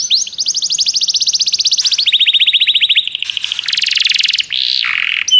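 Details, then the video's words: Canary singing, offered to prompt a pet canary to sing: a long rapid trill of repeated notes, dropping to a lower equally fast roll, then a harsh buzzy burst and a brief warbled slur. "seu canário vai cantar muito, ouça imediatamente essa música"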